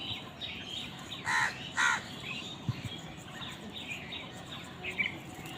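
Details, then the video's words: Crows contesting food: two harsh caws about half a second apart, then softer distant calls against a hissy background. "কাকের ডাক Crows fight for food Crow Sound"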